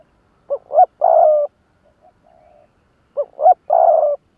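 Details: Captive decoy spotted dove in Vietnam calling in the lụp đờn cò style to challenge wild rivals: two short hooting notes, then a longer drawn-out coo, the whole phrase repeated after a brief quiet pause, in clean silence.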